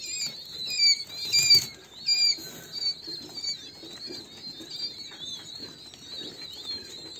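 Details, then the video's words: Thin whistled peeps from King quail chicks, loud falling notes in quick bursts at first, then a softer, steady stream of overlapping peeps. "Çin Bıldırcını Civcivleri"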